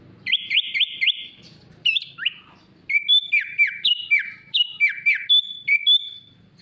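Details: Sooty-headed bulbul in isian mewah masteran style: three quick rising whistles, a falling slur, then a steady string of paired down-slurred whistled notes, about two per second.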